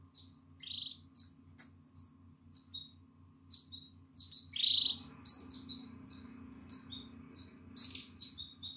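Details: Atlantic canary chick nine days old, eyes now open and feathers growing, in its nest on 14 April 2022: high, thin peeping notes repeated irregularly, swelling into louder squealing bursts midway, with a constant low hum and a faint rustle behind.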